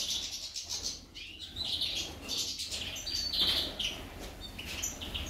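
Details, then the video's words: Female goldfinch giving scattered high chirps and short twittering phrases, with rustling and wing-flutter noise between the notes. "Impresionante la jilguera parese un colibri"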